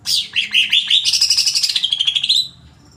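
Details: Greater green leafbird in agitated song: a loud, dense rapid stream of high chattering notes sweeping down then up, roughly fourteen quick pulses in under three seconds, ending abruptly.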